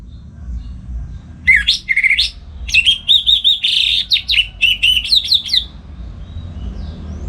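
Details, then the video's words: Orange-headed thrush, a kept bird in North Bali, singing in the morning in the loud ngeplong style used to tutor other songbirds: one rich phrase of rising whistles, slurred notes and quick warbled trills, over a low background hum. "Pagi Hari Hari ANIS MERAH Ngeplong Gacor Untuk Pancingan & Masteran Burung Dirumah"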